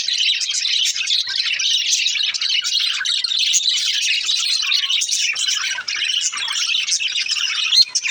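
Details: Young budgerigar chatter: continuous high, scratchy twittering with quick chirps layered over each other, steady throughout.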